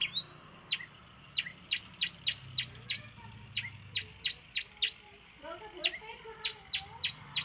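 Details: East Javan long-tailed shrike singing in the 'sembur' style, played as a lure for other birds: bursts of sharp, high, clipped notes, often in quick pairs and triplets, with short gaps and soft lower chatter between.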